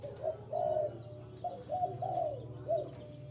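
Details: Spotted dove call for luring wild birds: a run of deep, throaty coos, the longer middle notes drawn out and the phrase ending in a short clipped note, over a low background rumble.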